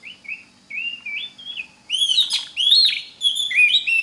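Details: Oriental magpie-robin song meant as a teaching recording for other magpie-robins: a few soft whistled slurs, then loud, rich rising whistles interleaved with harsh scratchy notes, varied and continuous.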